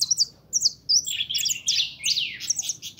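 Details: Goldfinch, described as a 'pintón' bird, singing a fast jumble of high twittering notes, short slurred whistles and buzzy downward sweeps with brief pauses between phrases.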